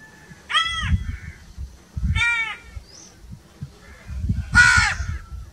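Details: Crow calling outdoors: two harsh, downward-arching caws and a third louder, broader caw, spaced about two seconds apart, with low rumbling background noise.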